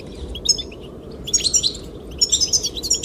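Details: Goldfinches singing to attract the female: sparse soft notes first, then busier runs of sharp, liquid twittering in the second half, over a low rush of wind.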